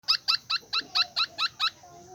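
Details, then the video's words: A bird gives a steady series of eight short, bright, harmonic notes, about four per second, each clipped and evenly spaced, then stops; faint low background hum underneath. "Suab noog lom sab/sound of bird"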